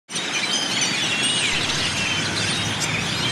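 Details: Yellow-headed blackbird superflock arriving in a murmuration at the central plaza of Delicias, Chihuahua, Mexico, on a January 2017 evening, returning from the high desert to its winter roost; a dense, continuous wash of high chirps and whistles from countless birds.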